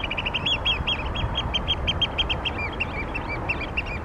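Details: Wild oystercatchers at Tsu piping in quick overlapping series, sharp high notes mixed with a few down-slurred calls, several voices seemingly interleaved, against a steady low background rumble.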